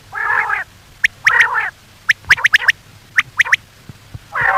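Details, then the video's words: Common quail call for night luring by hunters: a buzzy nasal burst, then a series of sharp clipped notes in quick groups, closing with another nasal burst. "batair ki awaz for night batair ki new awaz 2023 بیٹر کی آواز صبح شام کے لیے"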